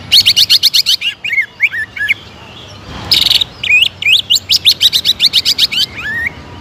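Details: Greater green leafbird in lively song, provoked to sing aggressively in a continuous, fired-up style. Rapid strings of sharp high ticking notes alternate with curving whistled slurs. After a brief pause, a fast repeated burst follows.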